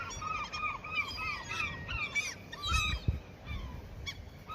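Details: Seagulls being fed at a fishing spot they treat as their territory give a run of arched, nasal calls, each rising then falling, about two or three per second, with low rumbling background noise.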